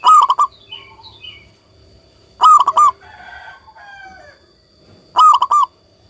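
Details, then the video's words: Local zebra dove giving prolific song, three clipped phrases of four or five fast, hollow coos about every two and a half seconds, while another bird adds thin chirps and twittering in the gaps. "perkutut lokal gacor"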